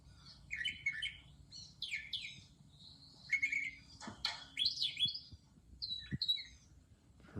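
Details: A Brown Thrasher recording played from a device, its song built of phrases usually given twice and sometimes copying other birds; bright chirped and slurred phrases in short bursts roughly every second, with some clicks.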